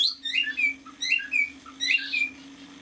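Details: A male cockatiel about six months old sings three short bursts of chirpy, warbling whistles about every second, over a steady low indoor hum.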